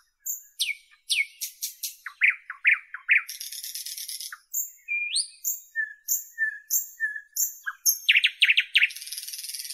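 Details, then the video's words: Varied Northern European nightingale song: sharp sweeping notes, clustered chatter, a sustained dry rattle, an upward swoop, a string of evenly repeated high double notes, then a rapid trill and buzz. "Northern European Nightingale Birdsong"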